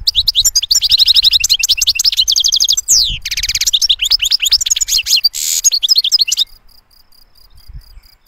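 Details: European goldfinch singing a clean, fine song: rapid tinkling, twittering phrases and buzzy trills packed closely for six seconds, including a harsh rasping note, then a faint thin steady tone to the end.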